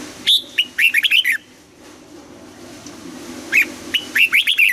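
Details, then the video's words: Mature wild red-whiskered bulbul practising its morning double-note song. A clear opening note leads into a quick string of bouncing, whistled warbles, and the same pattern repeats after a pause of about two seconds. "Luyện giọng cho chào mào hót sáng, ép chào mào hót âm kép già rừng hay tuyệt"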